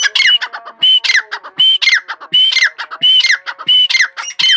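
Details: Grey francolin giving loud, repeated grating phrases, each ending in a piercing whistled note, delivered almost rhythmically about once a second throughout.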